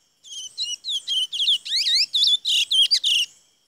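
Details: Song of a chestnut-bellied seed finch recorded at Saint-Georges on 17 May 2016: a fast, varied series of about eleven high notes over three seconds, mixing buzzy trills, clear whistles and downward-swooping slurs, against a quiet background.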